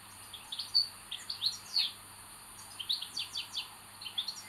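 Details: Common buzzard chicks in a nest, the eldest behaving aggressively, recorded 25 May 2022: a run of thin, high, downslurred whistled peeps, several close together, repeated in bursts over about four seconds, with a faint steady background hiss.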